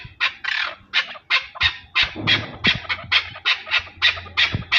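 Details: Chukar partridge in Pakistan calling with repeated rasping chuck notes in a quick, somewhat uneven rhythm, some notes doubled, over a soft low background hum.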